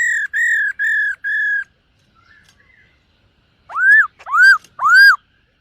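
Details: A silver-eared laughingthrush in morning voice training gives four steady clear whistles, a brief quiet pause, then three loud arching notes that rise and fall.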